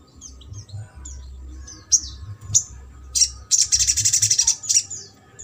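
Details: Crimson sunbird singing trotol style, used to prompt a silent sunbird to sing: scattered sharp high chirps, then a fast rattling trill of about a dozen notes, over a low background hum.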